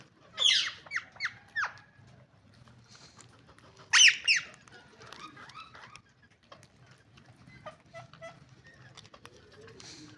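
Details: A family of green ringneck parrots gives loud, harsh screeches in two bursts: a run of four sharp shrieks early on, then a ragged cluster a few seconds later. Softer chatter and clicks follow over a low hum.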